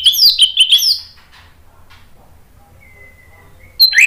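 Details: Orange-headed thrush (anis merah) lure song for birds that have gone quiet: a quick, loud burst of rich, sliding whistles at the start, a thin steady whistle later, and a sharp phrase returning at the end.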